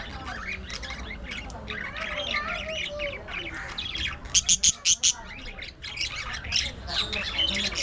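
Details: Budgerigars at play, fighting and grooming, chattering continuously with scratchy warbles and squawks, broken midway by a run of five loud, sharp chirps in quick succession, then more busy twittering.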